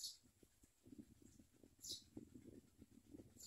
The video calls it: Common myna Baby Birds eat food and bite their mother